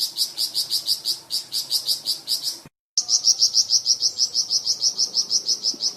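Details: Flamboyan bird delivering a varied tutor song for cucak ijo and magpie robin: long, steady strings of high, sharp notes at about three per second, briefly cut by a moment of silence.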